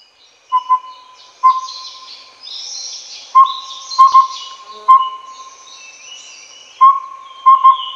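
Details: Collared owlet, subspecies Glaucidium brodiei pardalotum, Taiwan's smallest owl, gives clear whistled hoots on one steady pitch. They come singly or in quick pairs every second or two, over a soft wash of background birds and insects.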